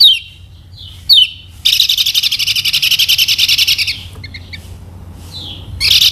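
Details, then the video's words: Lemon-bellied white-eye, the yellow Kecial from Lombok, singing a lure song meant to get other birds to learn and start singing: quick high descending sweeps, then a long rapid buzzy trill of about two seconds, short paired chips, and a loud final burst. "KECIAL KUNING PANCINGAN UNTUK BURUNG BELAJAR BUNYI DAN MALAS BUNYI"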